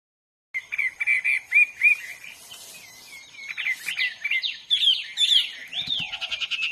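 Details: Wild hwamei singing, varied song opening with repeated short slurred whistles, then louder, faster sweeping notes that rise and fall in pitch, against a faint steady insect hum.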